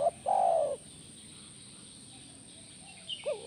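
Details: Spotted dove, as playback meant to draw a reply from a caged dove: the end of one long, mellow falling coo, a quiet pause, then the short rising start of the next phrase.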